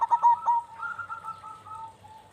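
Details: A local turtle dove, here a zebra dove, gives a few quick, soft cooing notes running into a rolling, purring coo at an even pitch, a bait sound meant to make doves call.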